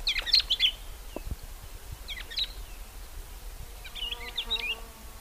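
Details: Crimson-winged finch calling in three brief groups of sharp, high twittering notes, with a faint low hum and rumbling ground noise between them.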